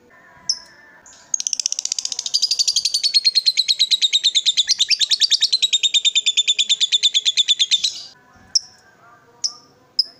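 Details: Agitated lovebird, worked up and provoked to call, delivers a long ngekek: a rapid, evenly pulsed, shrill chatter lasting about six and a half seconds, followed by a few isolated sharp chirps.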